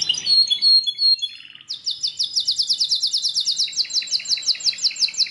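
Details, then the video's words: Belgian canary sings a few high notes, then a sustained, rapid trill of bright sweeping notes lasting almost four seconds, with softer notes below it. "OUÇA ISSO e seu CANÁRIO BELGA VAI CANTAR MUITO!"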